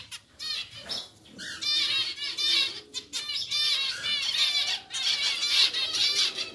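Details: Caged pair of pied zebra finches being caught and moved into a bigger new cage. Many repeated nasal calls come in dense bursts, mixed with fluttering wing beats and handling noise.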